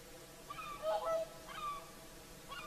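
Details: At sunset on the shore of Finland's Lake Saimaa, whooper swans give a louder double honk followed by softer, scattered trumpeting notes from other birds.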